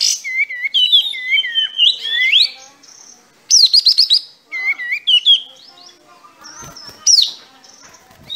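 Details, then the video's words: Sooty-headed bulbul in full, lively song with its tail spread, giving bubbly, liquid whistled phrases of looping rising and falling notes, broken by short pauses and a burst of rapid sharp chips, in a clean, quiet recording. "Masteran Kapas Tembak"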